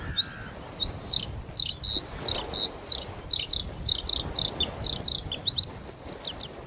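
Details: Bluethroat, protected in China, giving a rapid series of short high chipping notes, several per second, shifting into varied twittering at the end, against a background of rural environmental noise.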